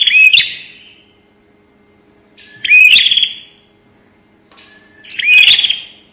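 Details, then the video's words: Lure call of a bar-winged prinia, prenjak nembak: three loud bursts about every two and a half seconds, each a short rising whistle leading into a buzzy, rattling high trill that fades out. "pancingan suara burung prenjak nembak"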